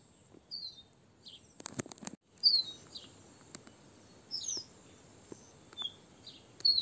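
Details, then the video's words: Crested bunting calling; short sharp high notes with downward slurs, repeated at irregular intervals of about a second, plus a few clicks and faint background noise. "Crested Bunting call"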